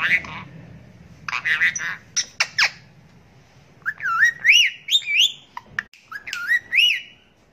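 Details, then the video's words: Indian ringneck parakeet mixing talk and whistles: husky speech-like syllables and sharp squeaks, then a series of clear, swooping whistled notes that rise and dip, each about half a second long. "ASALAMALAKUM BOLNE WALA TOTA | BEST TALKING PARROT"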